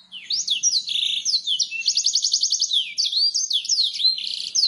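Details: Master canary song for training birds to sing quickly, heard as a continuous flow of downward-sweeping whistles, a quick rolling trill in the middle and warbled phrases.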